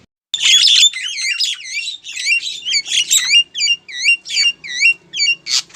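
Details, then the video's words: Female Javan myna calling to a male, giving a loud series of high, looping whistled and squeaky notes, at first dense and overlapping, then spaced into single upslurred calls about twice a second. "suara burung jalak kebo betina manggil jantan"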